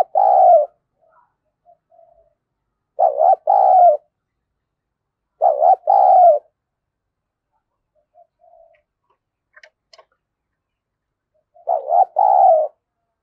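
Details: Spotted dove decoy bird coos to lure wild doves, in the voice style called thổ sấm: low, hooting, two-part phrases with a short stutter then a longer coo, repeated about every three seconds with quiet gaps between.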